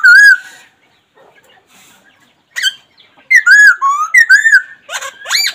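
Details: Black laughingthrush: one ringing arched whistle, a pause, then a lively cluster of four or five loud rounded whistles with rich overtones, ending in a rising note.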